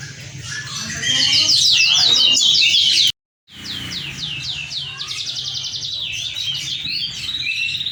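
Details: Moken hybrid (Mozambique canary × canary) in full song: dense high trills, then after a short break a series of descending slurred whistles and buzzy rattles, with a low hum underneath.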